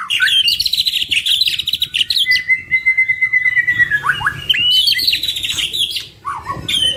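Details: Singing duo of white-rumped shamas with a full repertoire, made for lure practice. Fast trilled chatter opens, then a long clear sustained whistle, followed by dropping slurs and more rapid high chirps.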